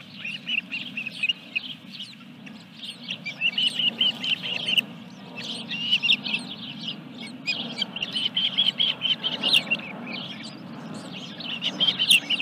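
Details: Osprey at its nest at Dunrovin Ranch during the third fish delivery, 14 July 2021: long runs of high, thin chirping calls. A steady low hum runs underneath the whole time.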